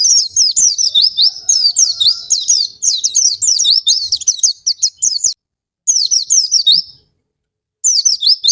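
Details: Oriental white-eye singing, used as a lure to prompt other birds into song: dense, very high chirps and slurred whistles for about five seconds, then two brief silences separating shorter bursts of twittering.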